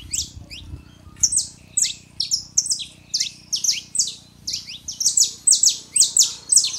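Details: Saffron finches, male and female, singing to wake up a silent canary: a few scattered soft notes, then bold, regularly spaced bursts of sharp high chips and falling slurs building in pace, over a faint hum.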